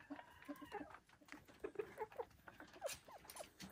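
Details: On a Vermont homestead, Silkie chickens make a string of short, tonal clucks and small chirping notes, some slightly rising, spaced irregularly over a faint background of rustling.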